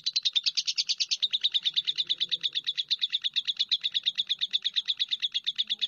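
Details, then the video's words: A lovebird gives a fast, unbroken series of sharp, high chirps, the first second louder and fuller, then a steady, metronome-like chatter continuing to the end. "SUARA BURUNG LOVEBIRD"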